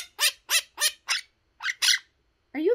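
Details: Male pet monk parakeet chattering in harsh, raspy bursts, one after another in quick succession.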